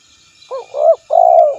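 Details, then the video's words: Spotted dove call made for luring rivals: a brief soft coo, a swelling rounded coo and a long even humming coo, close and clean with little else heard. "Suara Burung Tekukur Memanggil Lawan"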